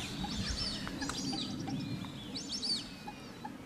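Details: At WWT Slimbridge, an Australian wood duck utters two clear arched mewing calls, each rising then dropping, separated by about two seconds, over a steady low background hum.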